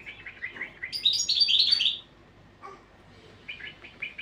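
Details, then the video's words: Training song of a European goldfinch, opening with soft repeated chirps, then a loud, fast run of bright twittered and tinkling notes lasting about a second, followed by quieter scattered chirps. "تغريد الحسون"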